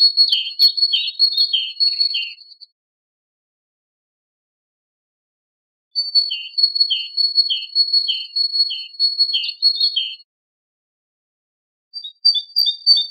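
Great tit song: bright, high notes repeated briskly in phrases a few seconds long, separated by pauses, over a thin steady whistle-like tone.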